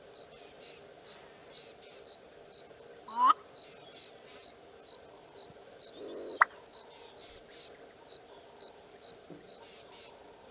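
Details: A male Black-bellied bustard in sub-Saharan African woodland or grassland gives its territorial display call. It stretches its neck skyward for a quick rising squeak, then about three seconds later a low gulp and a sharp cork-like pop as the neck snaps down, over steady pulsing insects.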